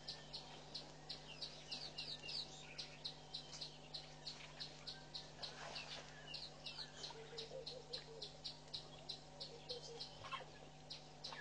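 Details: Southern masked weavers busy building and lining their nest at a waterhole in Mashatu Game Reserve, Botswana, in February; dense high buzzy chattering with rapid ticking notes repeated steadily, plus faint low background hum.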